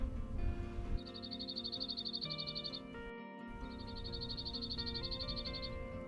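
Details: Cirl bunting in hedgerows at Labrador Bay, southwest UK, on a Saturday walk: two dry, rattling trills of rapid, evenly repeated notes on one high pitch, each about two seconds, over soft background music.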